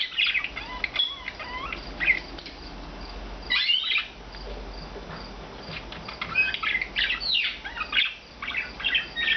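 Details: Four rescued pet budgerigars (Melopsittacus undulatus), blue, green and two white, living free-flying indoors all day, chatter in quick, twittering warbles with bright, squeaky chirps.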